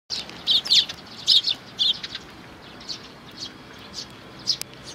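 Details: Sparrow chicks with their parents, recorded 11 May 2019: sharp, high chirps in quick clusters during the first two seconds, then softer, scattered chirps that fade and return toward the end.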